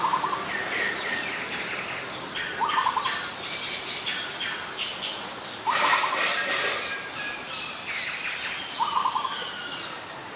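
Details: Ashy woodswallow, a very common resident, recorded at Ubon Ratchathani, Thailand, on 14 December 2019: short, harsh, chattering call bursts repeated roughly every three seconds, with a steady background hiss and scattered chirps.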